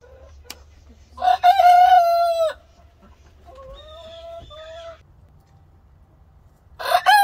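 An Ameraucana rooster gives a loud, harsh, drawn-out crow, followed by a quieter, thinner wavering phrase, then starts another crow at the end.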